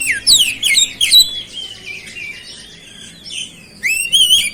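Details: Oriental magpie-robin singing with imitated 'cabe-cabean' phrases: quick high descending chirps and a drawn-out whistled note, a softer interval, then a fresh burst of bright rising whistles.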